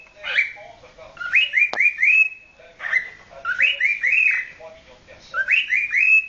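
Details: Courting male cockatiel, nine months old, sings three phrases of rising, looping whistles, each a chain of three or four upward-bending notes separated by short pauses, with one sharp click partway through.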